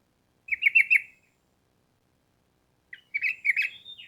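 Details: Sooty-headed bulbul singing short rapid 'ropel' bursts for cage-bird training. Two clear groups of quick, slurred chirping notes are separated by a silent gap of almost two seconds.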